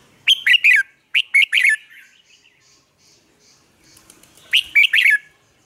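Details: Red-whiskered bulbul lure song used to train caged bulbuls to sing, Vietnam: two bright phrases of three to four quick rising-falling whistled notes, separated by a pause with faint softer notes.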